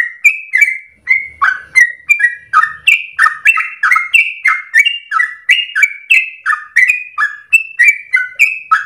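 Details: Long, energetic 'ropel' song of a Yellow-vented Bulbul used as a lure for training birds: a steady chain of gurgling, warbled notes rising and falling, about three per second, for nearly nine seconds.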